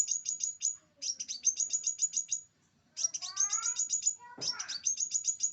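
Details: Scarlet minivet song recorded for tutoring birds: quick bursts of shrill, high, down-slurred chirps in phrases of about a second, with faint lower falling whistles and a brief rustling thump behind them.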